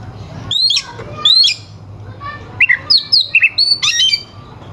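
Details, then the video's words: Oriental magpie-robin singing loud, rough and sharp fill phrases to goad rival birds before contests. Steep high slurred whistles are followed by a quick run of short chirped and rising notes, with a faint low hum beneath. "Suara kacer gacor NGEPLAY KONSLET pancingan kacer ampuh bikin lawan ikut EMOSI"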